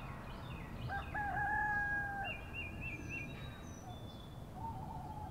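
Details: Rooster crowing in the English countryside on a rural morning: one drawn-out harmonic crow with a stepped, held middle and a falling end, over steady low rumble and thin high chirps from small birds.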